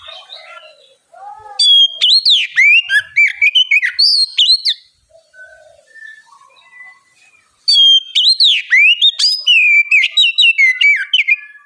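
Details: Vigorous oriental magpie-robin song played as bait for young birds to start singing: two long bursts of varied, piercing whistles and quick slurs, separated by a pause with soft, scattered distant notes.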